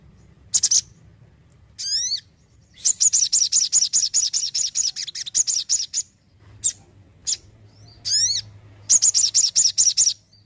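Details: ['Energetic Crimson sunbird: sharp chirps and a downward-sweeping harmonic call introduce long, rapid strings of piercing high notes, repeated in two runs.']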